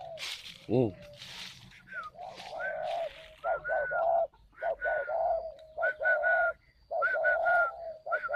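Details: Caged spotted dove at a breeding farm in Ba Vì, Hanoi, Vietnam, in calling coo style, delivering loud mellow hooting phrases of several soft notes each, repeated in quick runs, with brief handling noise at the start.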